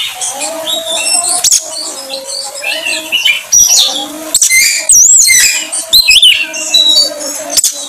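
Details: Oriental magpie-robin (kacer) song used as a lure to draw out other birds' songs: quieter chattering notes, then bright looping whistles and sharp chirps, with a low steady hum in the background.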